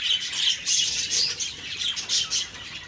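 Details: Morning budgerigar calls from October 2, 2023, where harsh, bright squawks and chirps come in short bursts about every half second against ongoing chatter.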